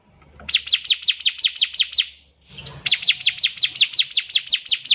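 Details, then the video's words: Bar-winged prinia singing for young birds to learn from: two long, rapid runs of sharp downward-slurred chirps, about six a second, separated by a brief pause with low rustling. "CIBLEK GACOR || SANGAT COCOK UNTUK MASTERAN CIBLEK PAUD BELAJAR BUNYI"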